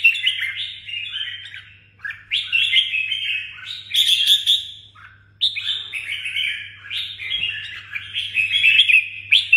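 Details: Song of a red-whiskered bulbul from Đồng Nai, kept as a songbird: long rich warbling phrases of rapid chirpy notes, rising and falling, separated by brief gaps, with a low electrical hum behind.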